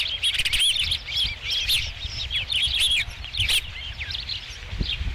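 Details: At a ranch nest on 5 July 2016, with the first fish arriving, osprey give a rapid, dense run of shrill whistled chirps, nearly continuous and slightly rising and falling, over a steady low rumble.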